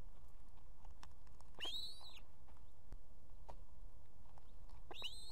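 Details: A female osprey at a nest with two chicks in Estonia calls the male to bring food; two clear upslurred whistles, roughly three seconds apart, over background hiss.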